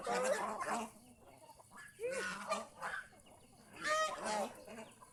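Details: Domestic geese out enjoying the fields around a house give harsh, nasal honks in three bursts about two seconds apart, each with a rising-then-falling, strongly layered tone and a rough edge.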